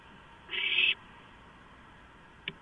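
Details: A single rasping, hissing screech of about half a second from owlets grabbing a large delivered rodent, 23 March 2015, followed by a quiet click near the end.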